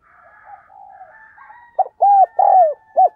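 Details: Spotted dove decoy bird cooing hard to spur other doves into calling; soft low murmured coos build up before a loud phrase of four short arched coo notes near the end.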